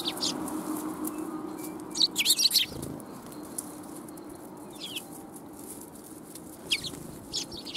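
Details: Sparrows flocking in to be fed at a Tenmangu shrine, 1 January 2021; a quick chattering burst of high chirps, a soft flutter, then sparse single chirps over background hum.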